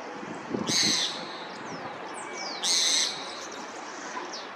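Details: Two loud, harsh, buzzy screams about two seconds apart from a roadside hawk startled by other birds' calls, each lasting around half a second, with thin descending tweets of other birds between them and low rumbling noise.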